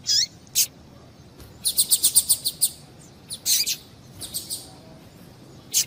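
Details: Calls of a female double-collared seedeater, used to excite males into song: isolated high chirps, then a rapid burst of about eight sharp, high notes, later some softer chips and a final thin note.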